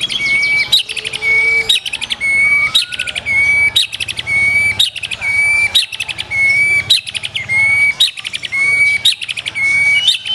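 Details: Black-tailed white-rumped shama singing its showcase phrases: a loud, high chattering phrase with a bright whistled note, repeated roughly once a second in a steady rhythm, with sharp clicks between phrases.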